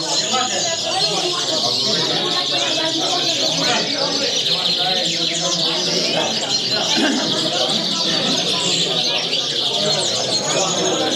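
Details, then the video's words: European greenfinch singing at a Catalan song contest, where it gave 220 song phrases in one unbroken run: a dense, continuous stream of high twittering trills and chirps, with people talking underneath throughout. "Cantada del verdum"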